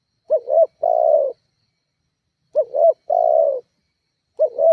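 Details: Spotted dove calling as a lure to provoke rival doves: two full phrases of a quick wavering two-part coo then a drawn-out falling coo, with the opening of a third phrase at the end.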